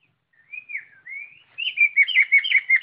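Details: White-rumped shama in full, energetic song: soft rising whistles, then a loud run of varied, bubbling whistled notes around the upper-middle pitch range, delivered rapidly without pause.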